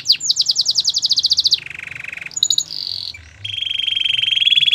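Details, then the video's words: Gloster canary song: a rapid high rattling trill, a lower buzzy roll, a few brief sharp notes, then a long, even, rattling sustained tone. "Gloster canary singing"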